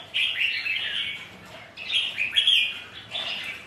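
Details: Red-whiskered bulbuls, rivals sparring during rain and wind, sing three lively phrases of cheerful, rolling whistles, each starting abruptly and fading, about one and a half seconds apart.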